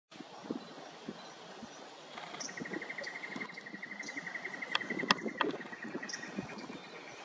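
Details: Eastern yellow robin at Hervey Bay, Queensland, giving a quick run of even, high piping notes on one pitch for a couple of seconds, over steady rushing background noise like wind or distant traffic.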